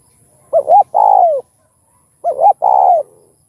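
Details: Spotted dove song used to stimulate other doves: two phrases, each a quick double coo followed by a long, full, slightly falling coo, spaced about 1.7 seconds apart, clear and close with little background.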